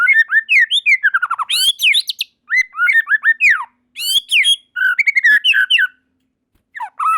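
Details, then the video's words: White-rumped shama, locally murai batu, in full song as more birds join; rapid cascading whistled phrases, chattering bursts and downward-slurred notes with brief gaps. "Tanpa Nunggu Lama Burung Murai Batu Lain Langsung Ikut Nyambar Gacor || Voice of Murai Batu"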